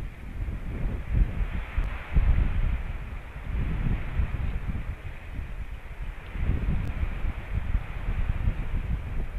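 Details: Low wind rumble buffets the microphone outdoors, rising and falling in gusts, and no animal voice is heard.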